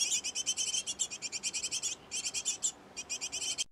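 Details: At a great tit nest box where the pair is kept busy, an unbroken run of quick, evenly spaced high chirps, roughly seven per second, pausing briefly near the middle.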